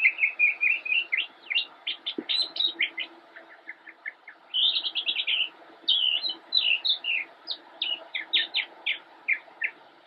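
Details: Immature northern mockingbird singing from a bush, Cabarrus County, North Carolina, United States, 10 October 2016; long varied medley of rapid repeated notes, trills and clipped chirps, shifting phrase every second or two, with one faint low thump.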